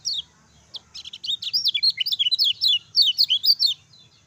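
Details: Lemon-bellied white-eye kept as a songbird, its song offered as a master to stimulate other birds into singing: a lively, continuous string of thin, high twittering chirps, roughly three per second, for about three seconds after a single opening note.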